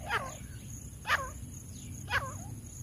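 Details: Tame grey francolin calling, used as a way to call wild birds: three loud, sharp, sliding notes, roughly one per second, over a low rural background hum.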